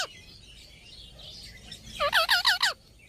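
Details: Parrot in a talking compilation: after a faint, hissy start, a burst of five loud, harsh, bending squawks comes in quick succession near the end, then fades back to quiet background.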